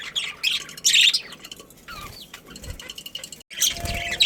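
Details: Budgerigar colony with breeding pairs, loud high chirp bursts at the start and end, softer warbled notes and a brief rising-falling whistle in between.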